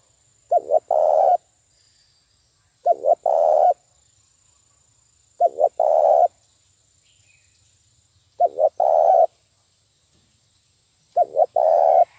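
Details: Spotted dove decoy call for trapping, played fast and strong: five evenly repeated phrases of two short notes and a longer rolling coo, about every two and a half seconds, over a faint constant high tone.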